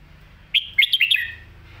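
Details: Red-whiskered bulbul phrase in the popular 'Phat Kuay Tiew' master song style: one sharp whistled note, a brief pause, then four or five rapid, liquid, looping notes falling at the end. A low hum sits underneath.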